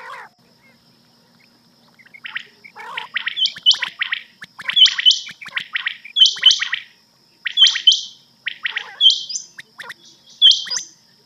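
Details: Rain quail night cassette call used for hunting: after a quiet start, groups of rapid buzzy notes, each group ending in a bright high note, repeating about every one and a half seconds.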